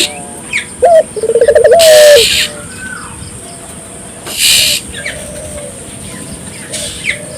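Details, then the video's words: One cooing phrase from a Barbary dove, used to spur local doves into calling: a clipped opening note, a quick pulsing roll, then a drawn-out coo sliding down. Loud rushing noise bursts follow, with faint high chirps around. "suara burung puter gacor,merangsang burung puter lokal ikut gacor"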